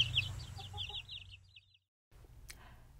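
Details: Chicken: a brooding hen with her chicks. A brisk run of high, thin chick peeps over her soft, low clucks to them, then a brief silence and a sharp click.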